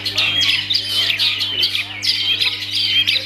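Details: Kept long-tailed shrike (cendet) giving a harsh, buzzy chatter of rough, high squawky notes in two bursts separated by a brief pause, with a steady low hum in the background.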